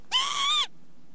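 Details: Northern lapwing uttering a single sustained, reedy call that holds fairly level before dipping at the end, over quiet low-frequency background noise.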